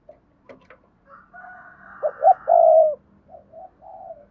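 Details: Lure spotted dove from Đồng Nai, Vietnam, calling in 'double voice' style to draw wild birds: scattered soft notes and a faint low hum, then two short coos and one long mellow note, soft coos after.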